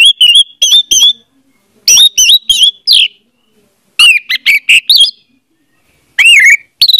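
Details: Orange-headed thrush song as a lure for a non-singing bird: repeated groups of loud whistled notes with slurred, mimic-like twists, delivered in bursts of about a second with short gaps.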